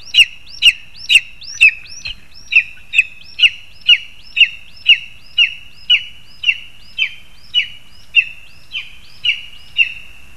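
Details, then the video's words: Lesser spotted eagles feeding their chick, 2 August 2020: a long steady series of about twenty sharp, high yelping notes, two each second, fading slightly toward the end, with a constant faint high tone behind. "Mazais ērglis (Clanga pomarina)- Orliki Krzykliwe - Rodzice dostarczają młodemu pokarm"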